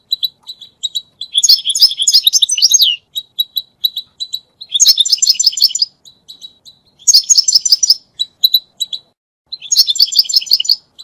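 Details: European goldfinch singing, for mating and teaching goldfinches to sing: isolated high tinkling notes broken by four dense bursts of jangling, twittering song, each lasting one to two seconds.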